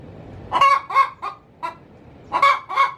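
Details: Hen in her coop calling before laying an egg: a few harsh, nasal squawks in two short bursts separated by a pause.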